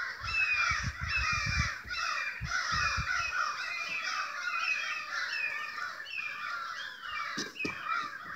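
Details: Crows in a large, excited flock keep up a raucous chorus of rasping, often downslurred caws. Some low thumps early on and a couple of sharp clicks occur later.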